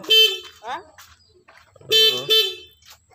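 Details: A pet black-capped lory, one that does not fly away, gives loud, harsh, nasal squawks: one blaring call, a quick rising squeal, then two blasts close together, with faint low background noise.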